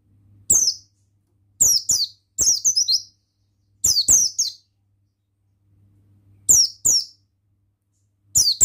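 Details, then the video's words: Male Oriental white-eye (buxtoni) song used to stimulate other birds to sing: short bursts of high, thin twittering notes, each burst falling in pitch, in clusters of two or three separated by pauses of about a second, over a quiet background hum. "Suara Ampuh Pemasteran Burung Pleci Bustomi Ngalas Ikutan Bunyi"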